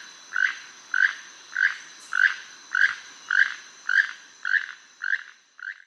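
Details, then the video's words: Keel-billed toucan in Costa Rica, a species common in the Caribbean lowlands, giving its frog-like croak: a dry note repeated roughly every 0.6 seconds, ten in a steady series, with a faint insect hum behind. "Y es uno que suena casi como un tipo de rana."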